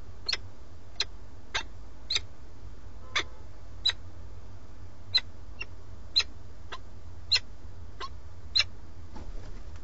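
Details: Webcam at a peregrine falcon nest in Alcalá de Henares, Madrid. The male calls for the female after bringing prey, then eventually leaves with it. Roughly fourteen short, rough notes spread over ten seconds, fading toward the end, with constant low hum.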